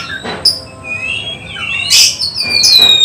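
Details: Short passage from an oriental magpie-robin in training for a songbird contest: a few sustained whistles, a sliding note and one loud burst of high chatter.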